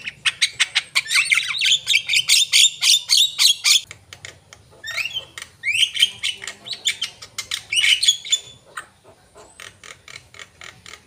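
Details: Javan myna singing gacor, in full, energetic voice: rapid bursts of harsh, broadband squawks and rattling chatter repeated about four per second, then grating upslurred whistles and screechy notes after short pauses, with faint low hum underneath.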